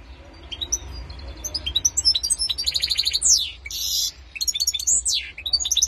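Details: Goldfinch and canary hybrid singing a lively, varied twittering song: rapid high trills, metallic chips, buzzy rattles and sweeping whistled slurs in quick succession over a faint low hum.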